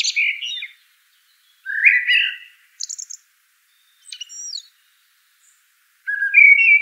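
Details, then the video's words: Common blackbird singing low warbling whistles mixed with brief high, squeaky twitters, with pauses between phrases and another mellow phrase starting at the end. "Bird Song - Common Blackbird"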